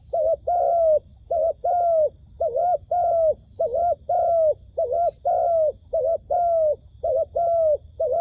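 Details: A decoy dove used in a trap to lure wild doves gives steady, low hooting coos in pairs and short phrases, about one every second, with faint background hum.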